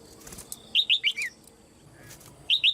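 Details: Female red-whiskered bulbul in a cage, calling to trigger other birds' singing; a run of four clear, falling whistled notes followed by two more at the end, over soft rustling.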